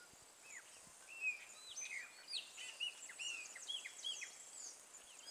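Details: Wild chopi blackbirds singing together in a late-afternoon chorus: many overlapping short whistled notes, slurred up and down and often sharply rising, crowding into a busy, chattering din over a steady high hiss.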